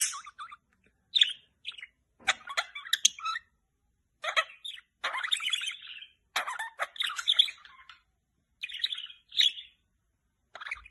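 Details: Pet budgerigars, kept with a cockatiel, playing before bedtime and chattering in bursts of bright, scratchy warbles and chirps with short quiet gaps.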